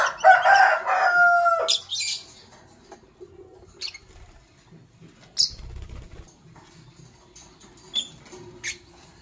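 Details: Fischer's lovebirds, Parblue Violet and Pastel Green Opaline colour forms, calling in the morning: a loud, harsh, chattering burst of squawky notes lasting over a second, then sparse sharp high chirps with soft rustling and tapping between.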